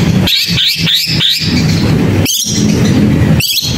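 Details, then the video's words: Long-tailed shrike singing four quick, wavering high notes in a row, then two harsh scratchy bursts after a pause, all over a constant low droning background. "Gacorin Cendet Gak Pake Ribet"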